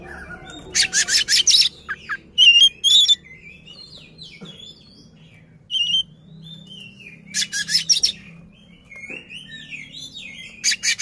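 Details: Oriental magpie-robin singing in full display with its tail spread, riling a rival: harsh raspy bursts alternate with short whistled phrases and quick chirps, with quiet gaps between outbursts.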